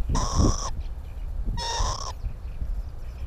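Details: Northern lapwings at a nesting site on the Timiryazev field in the breeding season give two loud, harsh, drawn-out nasal calls about a second apart, rich in overtones, with low rumbling noise beneath.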